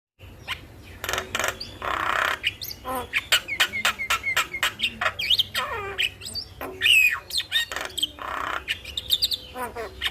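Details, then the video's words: Starling singing in the morning, used to coax other birds into song: harsh broadband bursts alternate with clicks and short rising and falling whistles, delivered in a rapid, uneven chattering sequence with brief pauses. "Pancingan Dan Masteran Burung jalak Di Pagi Hari Bikin Cepat gacor"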